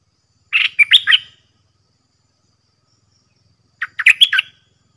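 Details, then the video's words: Red-whiskered bulbul kept in a cage, dueling with wild birds that join the fight. Two lively phrases of rapid, fluty chirps and whistles come about three seconds apart, with a soft low murmur beneath. "เสียงต่อนกกรงดอกแตงEp.124 จ้าวขันเงินสับดอกกระจาย นกป่าใจมากไม่กลัวเลย!!"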